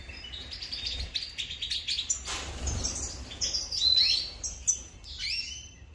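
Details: European goldfinch calling while feeding at breakfast: high, thin tinkling chirps and short twittered notes, some clear whistled slurs, with faint rustling and a low background hum.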